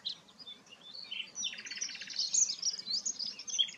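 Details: Softer, more distant song of a sikatan londo flycatcher: thin high twittering and scratchy warbles, with a brief buzzy trill in the middle. A faint low background hum sits beneath.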